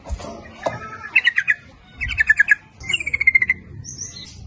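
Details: Yellow-vented bulbul lure song meant to draw in males and females, lively nguplik ropel style: three bursts of rapid bubbling notes, each about half a second long, with fainter high chips and a low background murmur.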